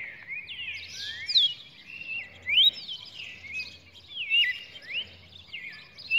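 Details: Song of a red-cowled cardinal on 23 June 2019: overlapping slurred whistles sweeping up and down, delivered in quick succession with brief gaps, over a soft low rhythmic hum.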